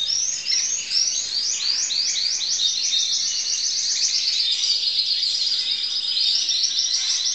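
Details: Crested canary singing, recorded 2012: a loud continuous song of rapid rolling trills and repeated sweeping whistled notes, steady throughout with no pauses and no other sounds.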